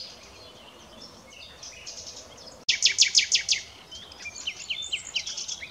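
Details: Common nightingale (Luscinia megarhynchos) song: a quiet opening phrase, then a loud rapid series of about eight sharp high notes, followed by varied whistles and trills.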